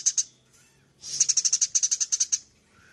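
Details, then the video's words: Eurasian tree sparrow in full chattering song, kept as a training master for other cage birds. Two sharp notes, a pause, then a quick even run of about thirteen high ticking chirps that ends abruptly. "Suara burung gereja gacor full nyrecet"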